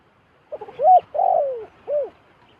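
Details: Close wild zebra dove near a decoy giving one cooing phrase: a few soft clicks, a rising short coo, a long descending coo, and then a shorter final arched note.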